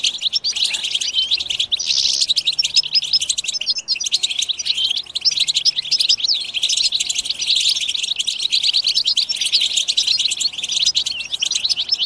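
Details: Chorus twittering of European goldfinches, the batbata used to drive goldfinches to sing: an unbroken stream of sharp chirps, trills and tinkling notes, intensifying around the middle.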